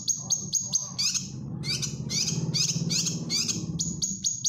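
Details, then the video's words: Grey-cheeked bulbul (cucak kinoy) in energetic gacor singing, used as a master song for training caged birds; bursts of high, sharp chirps and buzzy notes, with low rumbling background noise. "Cucak Kinoy Gacor Masteran"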